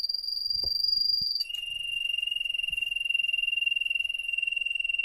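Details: Canary song heard near a laptop indoors: a high, steady, rapidly pulsing trill that drops abruptly to a lower sustained rolling tone, with a few soft knocks in the background.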